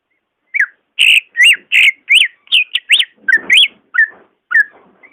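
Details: Song of a greater green leafbird, played to coax a sluggish caged leafbird into singing: a varied run of clear whistled notes, some arched, some dropping, delivered in quick irregular succession with brief gaps, ending in scattered softer notes.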